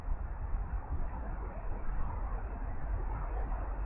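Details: Steady low rumble of passing traffic, with no animal calls anywhere.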